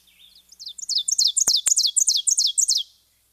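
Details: Ovenbird, a warbler of the forest floor, sings its very loud 'teacher teacher' song: a fast, high run of repeated two-note phrases growing louder over three seconds. Two sharp clicks break in midway.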